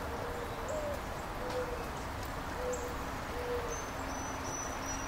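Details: Mourning dove recorded in the rain at home on 3 April 2024: soft, low, hollow coos, about one per second, over the steady hiss of rain, with a thin high whistle near the end.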